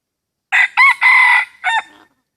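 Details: Hybrid junglefowl lured with a decoy in a rubber plantation; a very near crow of four bursts: a brief note, a rising second, a sustained rasping third about half a second long, then a clipped ending.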